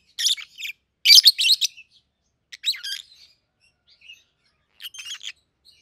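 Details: A pair of captive-bred peach-faced lovebirds, 7-8 months old, a red-headed green opaline and a red-faced dark green, give harsh, high chirps in three short bursts separated by brief pauses.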